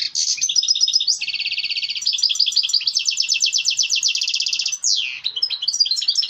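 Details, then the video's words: European goldfinch, kept for breeding, in mating song meant to stimulate other birds: dense buzzy trills and rattles, one sweeping downward slur near the end, then scattered high twitters. "صوت تزاوج الحسون يحفز الطيور على التلقيح"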